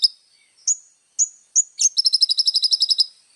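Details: Little spiderhunter in vigorous song: several separate sharp, slurred high notes followed by a quick rolling trill of about a dozen thin high chips, in clean quiet surroundings.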